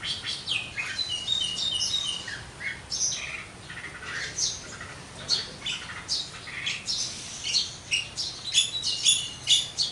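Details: Javan myna (jalak kebo) in active full song, a rapid stream of harsh squawks, clicks and short whistles in uneven bursts lasting throughout.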